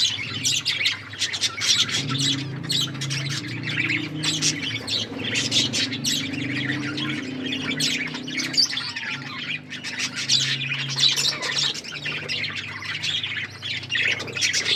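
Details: Budgerigars eating food and chirping nonstop: busy, overlapping squawks and short chirps fill the whole stretch, over a low droning hum.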